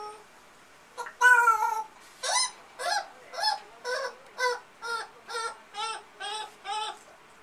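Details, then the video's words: Male African grey parrot kept as a pet, copying the household's amazon parrot: a loud harsh squawk followed by about ten nasal, honking calls repeated steadily roughly every half second. "African Grey Imitating Everything"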